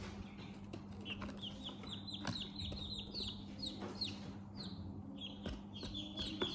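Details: Chicks peeping in short, high, downward-sliding notes, scattered and somewhat quieter, with occasional knocks and a constant low hum in the background.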